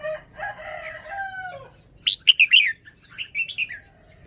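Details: Caged red-whiskered bulbul showing off its song phrasing: after a long drawn rooster crow, it gives bright, quick whistled notes in two short bursts, the first of four sharp rising-falling syllables.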